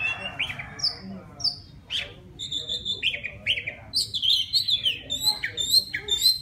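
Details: Wild white-rumped shama singing to attract a female, a rich, varied stream of sweet whistles, slurred notes and quick chirps that grows faster and denser toward the end.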